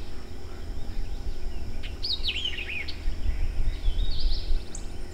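A White-eyed Vireo gives one quick, jumbled phrase of slurred, snappy high notes over a steady low rumble of wind or distant traffic.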